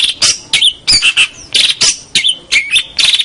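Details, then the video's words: Local champion long-tailed shrike on a master recording: scratchy grating phrases with thin whistled glides, repeated in bursts about every half second. "Kicau Masteran Cendet Master Pentet Juara Cendet Lokal Oke"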